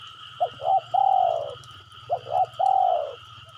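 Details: Spotted dove used as a calling lure: two phrases, each of two quick hooting coos followed by a drawn-out falling coo, over a steady low hum and a faint high whine.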